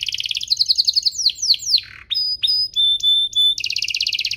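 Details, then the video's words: Domestic canary song meant for young birds to copy: quick trill, a series of downward swept notes, then several long clear whistled tones separated by short gaps, and a closing rapid trill. "Suaranya MUDAH DITIRU, Efektif untuk Masteran Kenari Paud dan Pancingan kenari biar gacor"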